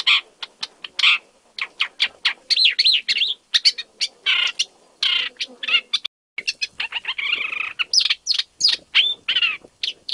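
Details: Isabelline shrike in Jiangjun District, Tainan, Taiwan, on 25 December 2023, the first record for Taiwan's main island: a rapid run of harsh clicks and chattering broken by scratchy, warbled high phrases.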